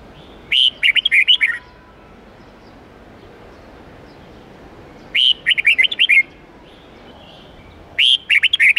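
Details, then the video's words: Red-whiskered bulbul song used to train young birds, giving bright, bubbly whistled phrases of several quick notes, repeated about every three to four seconds over a quiet background. "Luyện chào mào hót âm 8-9-10 giọng chuẩn rừng xoắn tít/ép chim non học giọng hiệu quả"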